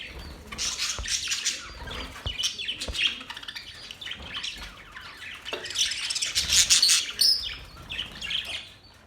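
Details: Budgies singing during mating, a long, busy stream of chirps, rasping notes and thin whistles that rises to a louder, denser burst of bright squeaks toward the latter part.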